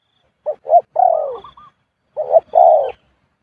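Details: Khu-ang style cooing of a spotted dove, its near-constant pattern: two short low notes swelling into a drawn-out descending coo, repeated twice.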